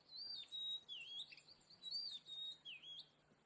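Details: Oriental magpie-robin, called kacer, delivering clean whistled notes: bright, slurred phrases that swoop up and down, repeated in similar shapes about once a second, with a low faint hum underneath.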